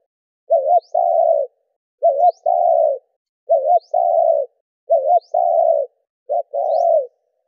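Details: Spotted dove cooing to rouse captive decoy doves, 'gù đảo nước' style: a short double note followed by a longer flat coo, repeated five times at steady intervals of about one and a half seconds, in clean silence.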